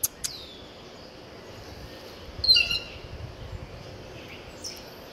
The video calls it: Blue Jay song